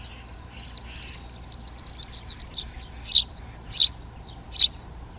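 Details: Eurasian tree sparrows settling into nest boxes in a Přerov garden, Czech Republic, in mid-March: a fast jingling chatter first, then three loud, separate sharp chirps about two-thirds of a second apart.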